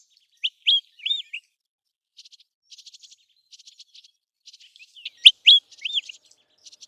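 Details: American golden plover calling during the migration and breeding seasons: clear whistled notes that bend up and down. Between them come stretches of soft, buzzy, rapid pulsed trills, and a second burst of whistles arrives near the end.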